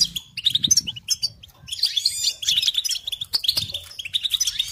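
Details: European goldfinch song used as a training recording for songbirds and chicks: rapid twittering, tinkling notes and buzzy trills, dense and continuous, with quick chirps mixed in and no other clear sounds.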